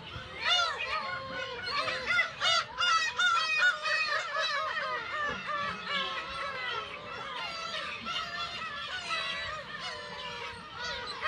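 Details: Black-tailed gull breeding colony of about 30,000 birds on Kabushima, Aomori, Japan, on 10 June 2020 with chicks: a steady, crowded din of nasal mewing cries, many short calls repeating rapidly over one another.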